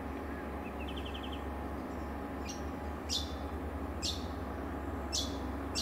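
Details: Chestnut-breasted mannikin (Lonchura castaneothorax) at Ipswich, Queensland, April 2024, giving sharp, high single notes about once a second after a brief rapid twittering trill, over a steady low rumble of distant traffic.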